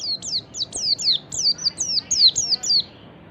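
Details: Lure recording of a white-eye in ngalas style, a steady run of about ten high, sharp notes, each sliding quickly downward, delivered at a brisk even pace.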